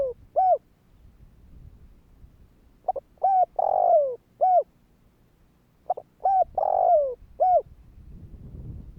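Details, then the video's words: Spotted dove calling to provoke and draw in other doves. Two bouts of soft, hoarse cooing: a quick stuttered note, then a drawn-out falling coo and short closing notes, repeated about three seconds apart over a faint low rumble. "Tiếng cu gáy Thúc hay ,tiếng chim cu gáy kích bổi"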